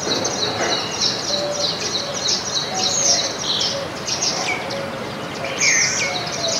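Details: Backyard flock of baya weavers in India, gathered in a house garden and feeding on grains. Overlapping high, buzzy chirping runs on without pause, with a few clearer whistled notes near the end over faint background noise.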